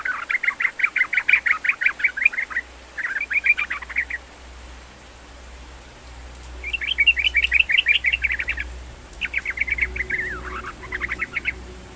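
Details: Sooty-headed bulbul song played to coax a reluctant bird into singing: lively runs of fast, bubbling repeated notes in several long phrases separated by brief pauses, with a faint low hum.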